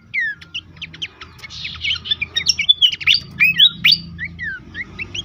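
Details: Horsfield's babbler song, intended to make caged birds sing eagerly: a dense jumble of short whistles, buzzy notes and descending slurs building to a loud middle section, with low background hum.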